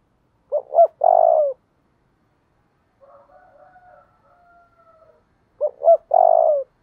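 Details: 'Thúc đấu' coo of a spotted dove, played to train decoy birds. Two quick notes lead into a loud, drawn-out, falling burr. Faint, steady mid-pitched notes sound in between before the full phrase repeats about five seconds later.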